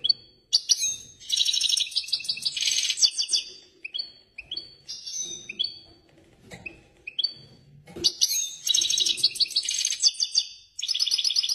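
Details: European goldfinch in excited song, pouring out long runs of rapid, buzzy high twitters mixed with repeated short rising chirps, continuing almost without pause for over ten seconds.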